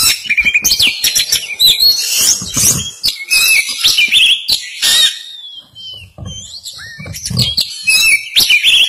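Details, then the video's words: A young Oriental magpie-robin learning to sing runs through a rambling, unpolished stream of high whistles, squeaks and scratchy chatter, with a few soft knocking sounds underneath. "Kacer Belajar Berkicau"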